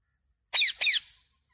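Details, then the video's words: A talking parrot utters "mummy papa" words as two quick, scratchy, high-pitched syllables, back to back, followed by quiet. "Talking Parrot 🦜 Mitthu 😍 mummy papa 😍 मम्मी पापा बोलने वाला तोता मिट्ठू"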